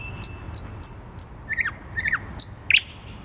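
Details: Song of a thrush nightingale in the centre of Warsaw, Poland, 12 May 2020: a run of sharp, very high ticking notes repeated about three times a second, then loud, sliding downward whistled notes, over a steady low urban hum.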